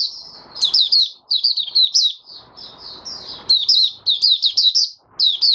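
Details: Oriental white-eye kept as a songbird, recorded in January 2022 on day five after deworming, pours out high, bright twittering phrases of quick slurred notes. Soft rustling noise runs beneath the song.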